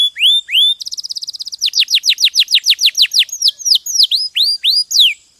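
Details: Champion canary in a clear recording used to train other birds: two rising whistles, a rapid even trill, then a steady run of falling whistles and looping notes, repeated about three times a second.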